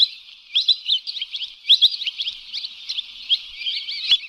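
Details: Lesser whistling duck calls as a hunting lure: softer, steady run of short high whistles and chirps, slightly hissy background, with a few louder notes.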